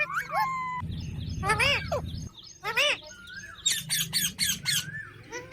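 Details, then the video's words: A parrot mixes level whistled tones with loud, arched squawks and a fast series of harsh, clipped notes toward the end, over a steady low hum. "Parrot Natural Sounds Compilation"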